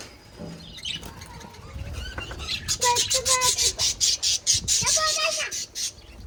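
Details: Pet budgies chattering indoors, a rapid run of bright, buzzy chirps and warbling notes repeated about twice a second, with a low background rumble and some faint voice-like sounds early on.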